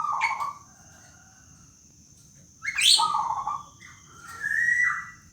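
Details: Black-naped oriole, a local bird, giving its rintihan or moaning call: a short nasal note, then a sharp rising squeal that drops into another nasal note and a drawn-out wavering whistle; a steady thin high whine runs throughout.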